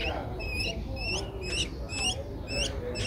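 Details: Short run of high, slurred squeaks from an 11-day-old Streak-eared Bulbul nestling in Ubon Ratchathani, Thailand, 13 April 2023, each note bending upward, about two a second, with low murmuring noise behind.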